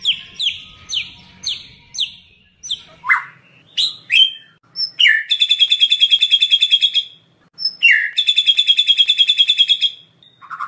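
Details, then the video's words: Murai batu (White-rumped shama) singing hard in a full-isian lure recording: a run of sharp downslurred notes, then long rapid buzzy trills repeated twice with short swoops between. "pancingan murai batu gacor full isian"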